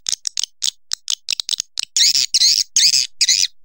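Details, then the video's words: Swiftlet calls in a recording billed as among the best of 2020: rapid high twittering chirps, short and irregular at first, then longer buzzy trilled bursts repeating about twice a second, all high-pitched with no other clear sounds. "Suara walet terbaik 2020"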